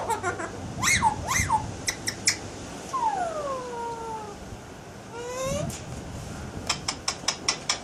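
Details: Pet Alexandrine parakeet mimicking sounds indoors: two rising squawks, then long smooth downward-gliding whistles like mews, an upward-bending call, and a run of rapid clicking ticks at the end.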